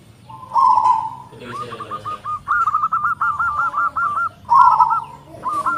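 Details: Big-voiced local zebra dove singing tightly spaced phrases: rolling coos that break into rapid ascending strings of short looping notes, with the rolled coo repeated near the end.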